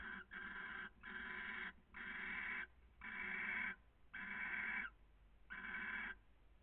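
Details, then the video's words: Barn owl pair caressing, recorded in Cabañeros National Park, Spain: a series of long, harsh, broadband hissing screeches, each about half a second to a second long, repeated in steady bursts with short gaps. "Cariños modo lechuza"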